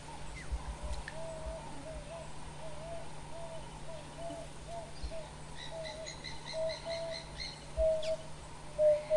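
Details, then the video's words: Emerald-spotted wood dove's mournful call at a pan where wild dogs drink after their midday siesta before hunting: a run of soft, low coos, about one to two a second, another bird chirping higher, over a low hum. "This is the mournful call of the emerald-spotted dove."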